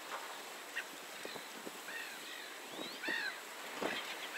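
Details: Eurasian teal at 52°11'53"N 19°47'47"E giving a few short, arched, nasal whistled calls, two of them close together, with scattered clicks and soft splashy background noise.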